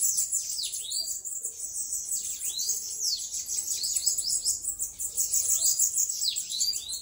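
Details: A Bananaquit, said to be singing while loose, gives a very high, thin, hissing jumble of quick chirps and arching sweeps, several per second, with a steady high buzz behind.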